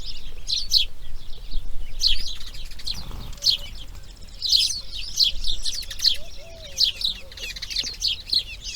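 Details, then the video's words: Grey heron nestlings during the breeding period, day 2: clusters of rasping, clicking bursts come in quick pairs and runs, with brief gaps, a faint thin whistle from another bird and low steady background noise. "Garza real (Ardea Cinerea) Crianza Dia 2| Grey Heron Breeding"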